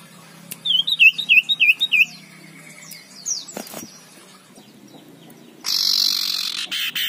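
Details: Aggressive male common iora giving a quick run of about six clear whistled, wavy notes within a second and a half, followed by fainter softer notes and a burst of broad hiss near the end.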